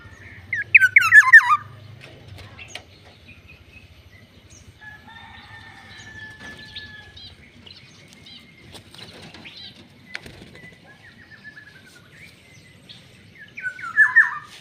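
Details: Black-naped oriole, called yellow-headed and fierce, gives two separate bursts of grating, descending nasal notes, one at the start and one at the end. Quiet faint chirps, ticks and a thin whistle fill the long gap between.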